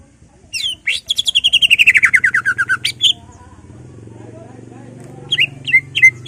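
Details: Greater green leafbird in ngentrok-style song with mimicked fills, played to stir other leafbirds into aggression: a rapid run of about fourteen bright notes stepping steadily downward, then scattered sharp chips over a steady low hum.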